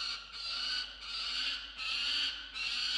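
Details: A male peregrine falcon defends a musk lorikeet he has brought in, filmed by box camera at 6:09 am in late December 2022; four drawn-out, hoarse wailing screams follow one another with short breaks.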